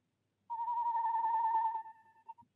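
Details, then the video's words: Female tawny owl in nest box 1 at De Mortel, during the breeding season in February, calls to the male, who answers: one long, steady, mid-pitched hooted note lasting over a second, fading, then a faint short note. "Bosuil vrouwtje roept in uilenkast 1, mannetje beantwoord"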